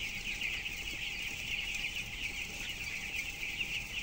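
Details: Broiler chicks aged 12 days, weighing 423 grams, in a closed house holding 7,000 birds. A dense, continuous chorus of high peeping runs over a steady low fan roar and hum.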